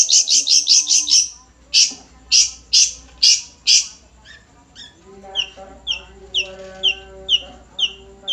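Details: Long-tailed shrike, nogosari type, begins with a quick stutter of harsh high notes, then louder spaced rasps, then a series of soft down-slurred whistles repeated roughly every half second.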